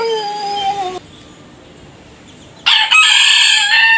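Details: Rooster crowing, clipped between separate birds: the tail of one crow fades into a short gap, then another rooster starts a loud, rich, harsh crow that cuts off at the end.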